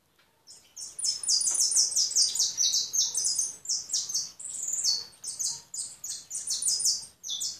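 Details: European goldfinch in a continuous, rapid, high-pitched twittering song of tinkling and buzzy notes that runs almost unbroken for about seven seconds after a short quiet start.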